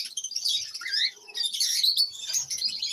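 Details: Captive lovebirds giving a brief burst of shrill, squeaky chirps, some sliding down in pitch, overlapping in a busy high-pitched twitter.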